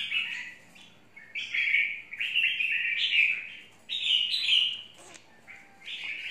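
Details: Red-whiskered bulbul, described as a 'mộc' bird, singing bright warbled phrases in bursts, each about a second long, with short pauses between them.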